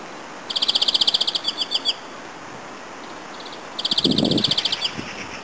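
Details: A European greenfinch, an olive-green songbird in the Netherlands, gives two fast, ringing trills of bright repeated notes, each over a second long; a brief low rumble sounds beneath the second trill.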